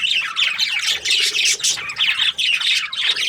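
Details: Chirping Australian budgies produce bursts of shrill, warbling chatter that swell and dip roughly once a second, the squeaky notes crowding together into a nearly unbroken stream.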